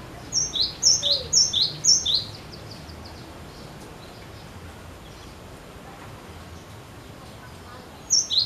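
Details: Persistent song of a cinereous tit, meant to lure other birds into song. Four crisp high-to-low double notes repeat about twice a second, then silence, then one more phrase starts at the close.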